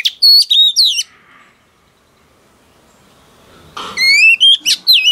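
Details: Newly caught wild female oriental magpie-robin singing to excite males. Two bursts of loud, ringing whistled phrases with bent, slurred notes and crisp chips are separated by about three seconds of near silence.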